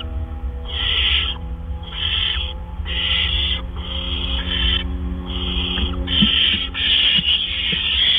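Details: Barn owl nest on 17 April 2013 at about 8 PM, two gophers delivered back to back; repeated harsh rasping hisses, about eight bursts, with faint tonal hum and a few soft clicks near the end.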